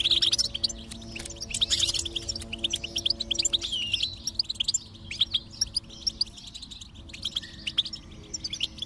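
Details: Goldfinch singing, offered as stimulation for a silent goldfinch: dense, bright twittering with quick chirps and buzzy notes, loudest early and then thinning, while faint low steady tones sit beneath.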